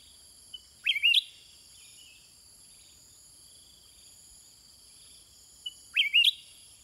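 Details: In a long back-and-forth with wild birds, a sooty-headed bulbul repeats a loud, wavering whistled phrase twice, about five seconds apart, over a steady high insect chorus.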